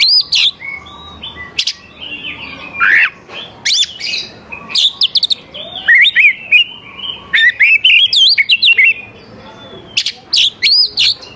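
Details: Oriental magpie-robin singing to draw young wild birds into response, long varied song of loud whistles, sharp high strokes, buzzy notes and rapid warbled sequences with short pauses.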